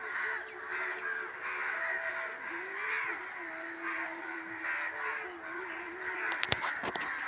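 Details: Several crows cawing at evening in a village, hoarse calls overlapping into a constant chorus, followed near the end by a few sharp tapping clicks.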